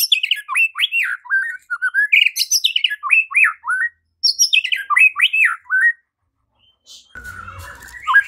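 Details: White-rumped shama roused by a lure into fighting and full song: fast, varied phrases of looping, slurred whistles and chattering notes in two long bursts, then a short pause before quieter sounds resume.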